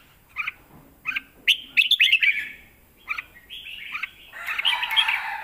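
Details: Red-whiskered bulbul kept in a cage, performing 'lak wai' style song, a model for training young birds: short chirped notes spaced apart, then a rapid warbled phrase and a longer bubbling run at the end.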